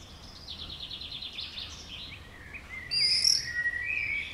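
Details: Common swifts passing by a house: a rapid buzzy trilled scream runs for over a second, then sharper, higher shrieking screams overlap near the end, against faint background noise.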